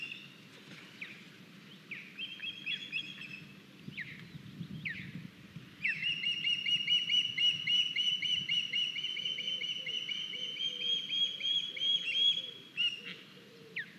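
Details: At an Estonian osprey nest, 9 August 2021, as one young bird brings in a large fish: scattered thin whistles at first, then a long, loud, fast string of shrill, repeated piping chirps lasting about seven seconds.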